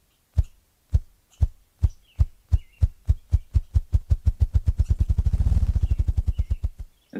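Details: A male Ruffed Grouse in the northeastern United States gives its acoustic display: deep, muffled, very low drumming thumps that start slowly and speed up into a rapid roll.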